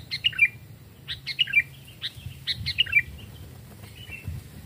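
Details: Captive Sooty-headed bulbul, one of a small and a large type used as lure birds in forest, giving three quick chattering phrases of chirps ending in slurred whistles, with soft rustling and low hum.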